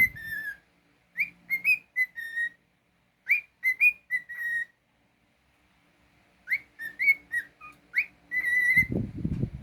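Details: Domestic cockatiel whistling its tune in bursts of upswept and flat notes, a silent gap mid-way, then a further phrase ending with a loud low thumping noise.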